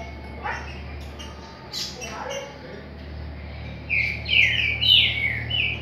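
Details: Green-winged saltator, Paraguai song style, heard over a steady low hum and background noise. A few scattered notes come first, then a ringing phrase of slurred, warbling whistles near the end.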